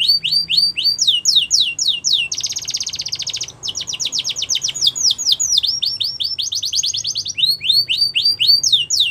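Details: Yellow canary singing in the wild: a continuous high song of swift repeated downslurred chirps and a dense buzzy rattle. Tours of identical notes follow one another at a quick, steady beat.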